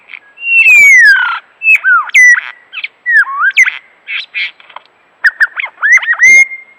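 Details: Lyrebird, a vocal mimic said to copy chainsaws, camera shutters, car alarms and human voices; a varied medley of clear whistles, sliding notes and sharp chattery bursts, switching phrases every second or so.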